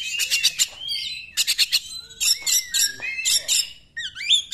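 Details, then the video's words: Oriental magpie-robin song meant to stir other magpie-robins into song: clusters of rapid harsh chatter alternate with long slurred whistles, one dipping low, then a rising twisting phrase. "KACER NEMBAK, UNTUK PANCINGAN KACER YANG TIDAK GACOR"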